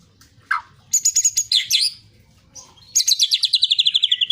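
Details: Long-tailed shrike in full song, a kept bird: a low slurred note, then high sharp whistles and buzzy chatter, ending in a fast rattling trill of about fifteen notes that slowly falls in pitch.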